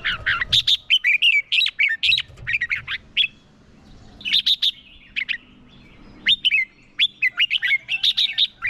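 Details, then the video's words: Decoy red-whiskered bulbul singing its fighting song to lure wild birds, with rapid tumbling phrases of clear chirped and slurred notes, several loud bursts broken by brief pauses. "Chào mào mồi hót đấu gọi bổi căng lửa"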